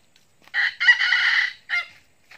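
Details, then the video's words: Red junglefowl crow used as a lure to attract wild junglefowl: a harsh, harmonic-rich opening note, then a long sustained buzzy middle note and a short clipped final note. A faint extra note follows at the end. "pikat ayam hutan"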